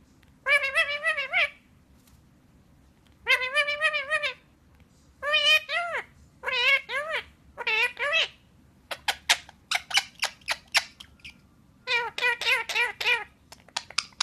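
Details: A female pet bird chatters up a storm while perched on her owner being petted, in a run of harmonic, wavering, voice-like calls, then rapid clicking bursts, in a quiet room.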